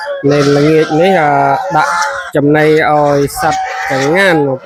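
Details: Farm geese gathering around at evening feeding, given chopped banana stem with rice bran: loud drawn-out honks that bend upward and then fall, in three bouts separated by short pauses.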